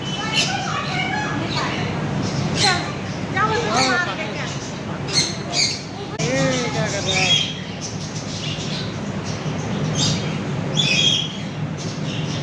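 Macaws give harsh, raspy squawks every few seconds, mixed with talking-like voices and a steady background murmur.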